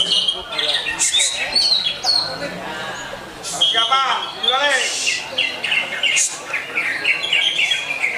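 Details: Greater green leafbird of Jet Li style: varied whistled phrases mixed with rapid, harmonic mewing slurs and buzzy chatter, some notes descending, others warbling, continuing through the clip.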